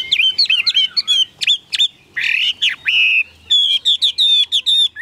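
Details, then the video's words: Captive Chinese hwamei delivering a dense, energetic song of sharp varied whistles. A harsher, buzzy stretch comes midway, then a quick series of repeated high clear notes. No background sounds are heard. "Chim họa mi đẹp"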